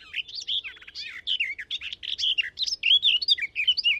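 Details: Garden warbler singing a fast, mellow warble of rich, bubbling, delicately delivered phrases with short pauses between them and less fluty phrase endings than a blackcap.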